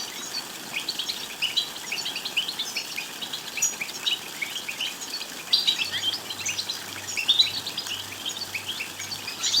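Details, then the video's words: European goldfinch song used to stimulate goldfinches to sing and mate, Morocco: dense, continuous high tinkling twitters and chirps overlapping throughout, with louder bursts near the middle and end, and a low steady hum entering partway. "بتبتات لتحفيز الحسون على الغناء والتغريد بصوت قوي"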